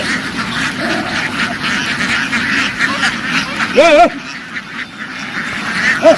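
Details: Farm ducks running into the water and quickly back ashore in a field, loud flock noise. A dense, hissy background of many birds, then two loud nasal, harmonic quacks near the end.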